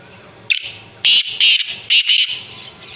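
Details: Grey francolin, described as a female, giving loud, shrill, harsh notes, about five sharp high-pitched bursts in two seconds against a quiet background.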